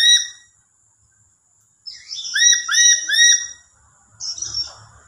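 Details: A lory gives a lure call meant to prompt other lories to answer: soft, rolling and shrill, with loud, harsh, rising whistled notes in a quick burst of three to four calls.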